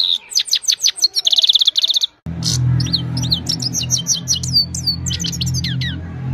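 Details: Himalayan goldfinch evening song on a mobile phone recording: rapid high descending notes and a tight trill, then after a cut, continued bright twittering of sweeping chirps over a noticeable low hum.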